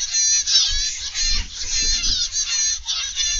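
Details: Zebra finches in an aviary, recorded after noon on 31 August 2021: a dense chorus of nasal, honking beeps with buzzy harmonics, many birds calling over one another almost without pause, over a low steady rumble.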